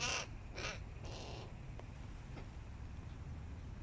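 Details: Hooded crows, young birds competing with adults: three loud, harsh caws in quick succession, about half a second apart, then fainter distant calls over steady background noise.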